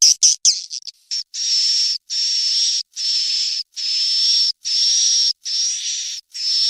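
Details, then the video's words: Swiftlet chicks calling, a sound played to lure swiftlets to roost: a few quick chirps at first, then steady high buzzy hisses with a fine whistle, each under a second, evenly spaced by brief pauses. "SUARA WALET ANAKAN TERBARU"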